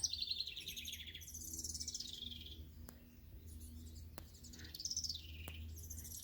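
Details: Several house wrens, heard near a bluebird house on a nature hike, give high, bubbly, tumbling phrases that cascade downward, repeated every couple of seconds, over a low background hum.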